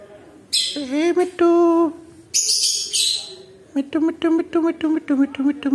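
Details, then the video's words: Alexandrine parakeet kept as a talking pet: several drawn-out, voice-like phrases, then a quick run of short choppy syllables repeated several times a second, all harmonic and speech-like, recorded in a room. "Talking Parrot / Bolne wala mitthu"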